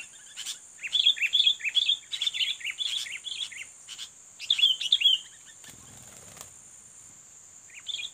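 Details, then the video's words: Sooty-headed bulbul, a fighting bird being lured to challenge a rival: rapid, regularly spaced chirping phrases of slurred whistles for five seconds, a rustling thump, then quiet and a final short chirp, over a steady high hum. "Pikat Kutilang Petarung"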